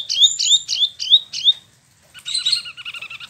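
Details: Caged Spot-throated Babbler in Bandung, Indonesia, newly moulted, repeating five looping upslurred whistles about every third of a second, then a quick chattering trill of short doubled notes.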